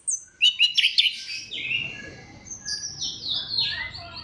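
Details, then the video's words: Orange-headed thrush lure song aimed at getting other thrushes to sing: a quick burst of loud chirps, followed by softer drawn-out whistles gliding downward, over a faint low background murmur. "KICAUAN SEBENING KRISTAL ANIS KEMBANG GACOR PANCINGAN MANJUR"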